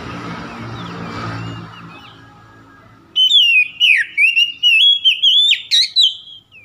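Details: Oriental magpie-robin singing to provoke a rival; murky low noise first, then from midway a loud series of rich whistled notes, sliding and warbling, in short bursts roughly twice a second.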